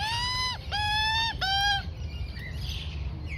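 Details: Juvenile female Australian magpie, four to five months old, fed by its mother; three long flat nasal harmonic wails in quick succession, followed by quiet softer chirps.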